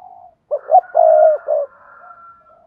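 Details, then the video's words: Spotted dove calling to spur other doves to coo: one phrase of two short notes, a long sustained low coo and a closing note, with a faint higher thin tone behind. "tiếng cu gáy thúc bổi"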